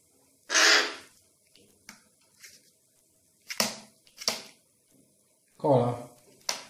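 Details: A hungry young crow, probably fallen from its nest and being hand-fed indoors before release, gives harsh, raspy begging caws in short bursts, with a person's voice and handling noises close by.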